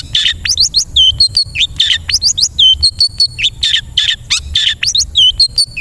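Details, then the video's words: Long-tailed shrike (cendet) song meant to train caged birds to sing, full of rich varied phrases: quick high chirps, upslurred whistles and scratchy notes tumbling together in a busy, nonstop chatter. "MASTERAN KHUSUS UNTUK BURUNG CENDET AGAR BUNYI DAN GACOR FULL ISIAN MEWAH"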